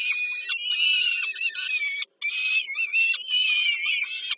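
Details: Young peregrine falcons on a Warsaw power-plant nest at Żerań, Poland, fed by their mother in the evening of 15 July 2022, giving long, strained, wavering screams almost without a break, with one short gap midway.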